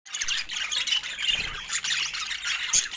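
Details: Budgerigars, kept as pets, in a dense, continuous flock chatter of high, scratchy chirps and squawks overlapping without pause, with one brief sharp peep near the end.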